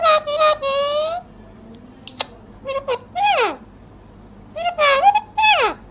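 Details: Talking parrot imitating Hindi phrases such as 'mera pyara Babu' and 'Radhe Radhe'. Several voice-like syllables with clear harmonics come in short bursts separated by pauses, along with one sharp, high rising squeak and a soft background hum.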